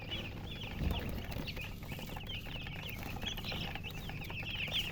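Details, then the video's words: Just-born chicks peeping loudly in a dense chorus, with short bent high chirps tumbling over one another continuously and a constant low droning hum beneath. "chicks chirping sounds Just Born Baby Gallina FRACAS Chicks Piar Loudly Sound"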